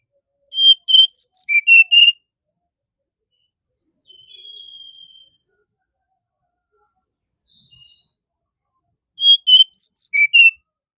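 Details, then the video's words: Brown-chested jungle flycatcher giving two fast phrases of clear, sweet whistled notes, each about a second and a half long, separated by seven seconds of near silence with faint thin whistles in the distance. "Sikatan Rimba Dada Coklat"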